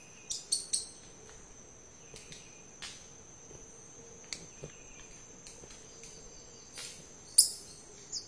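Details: A male and a female red-capped manakin signal to each other on a branch with sharp, dry snapping clicks at irregular intervals, several close together, over a steady high insect whine and a faint low hum.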